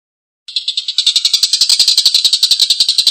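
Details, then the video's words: After a half-second of silence, a Collared kingfisher starts a rough, long laughing chatter. Grating, buzzy notes quickly settle into a fast, even run of about three and a half per second. "Suara tengkek buto||masteran burung gacor ngekek panjang suara kasar"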